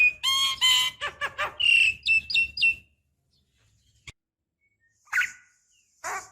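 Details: Javan myna female's call to a male, used as a decoy to set other mynas singing: about three seconds of nasal, harmonic-rich notes and a sliding whistle, then near silence with two faint rasping bursts.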